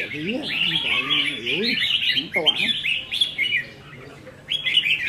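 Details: Red-whiskered bulbuls kept in cages compete in a singing contest, recorded 15/5/2021: loud, rapid warbling phrases with sharp rising notes, briefly overlapped by a man's speech.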